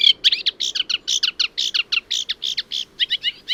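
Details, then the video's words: Eurasian Reed Warbler song, a steady chatter of scratchy, chirring notes in a rhythmic, fairly even pattern. It is quieter, lower-pitched and less imitative than the similar Sedge Warbler. A faint low background hum is heard. "Let's have a listen. This is the Reed Warbler."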